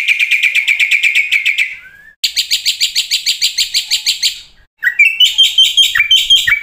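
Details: Black-winged starling song, a full training track with fill-ins: fast, steady trills of repeated notes about seven per second, a short pause, another rapid trill, then varied squeaky whistles and warbles.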